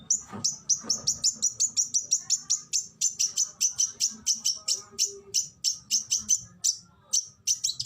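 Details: Fierce tembakan from a kacer (Oriental magpie-robin), used as training song: a fast rhythmic string of sharp, high, clipped notes, several per second, with a few low knocks near the start.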